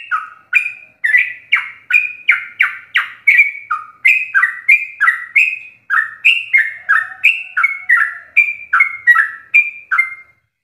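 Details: Long fast 'ropelan' song of a sooty-headed bulbul, used to train caged birds: an unbroken chain of short crisp down-slurred notes, high and low alternating, nearly three per second, fading at the end.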